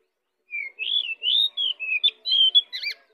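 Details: Lively pied bushchat song, used to lure other birds: a continuous run of about ten quick whistled notes that slur up and down, ending in a buzzy, warbled flourish. The background is quiet.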